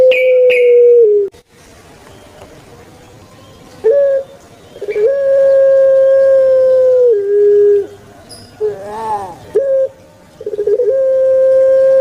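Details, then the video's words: Kept puter pelung, a turtle dove from Java, Indonesia, giving long, thick 'kwok' coos: a steady, drawn-out low tone held for about two seconds, dropping slightly at the end, with a short opening note and a brief quiet gap between calls. "𝙋𝙐𝙏𝙀𝙍 𝙋𝙀𝙇𝙐𝙉𝙂 𝙎𝙐𝘼𝙍𝘼 𝘼𝙎𝙇𝙞 𝙋𝘼𝙉𝙅𝘼𝙉𝙂 𝙆𝙒𝙊𝙆 𝙏𝙀𝘽𝘼𝙇"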